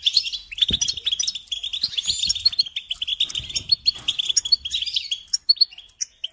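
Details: European goldfinch song used for training young birds to sing: a fast, continuous twittering of liquid chirps and short buzzy trills, densely packed with barely a pause, plus a few soft low knocks in the background.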